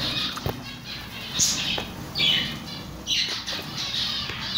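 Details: Chicks peeping with short high chirps in scattered bursts, mixed with a soft flutter of wings and a low steady background hum.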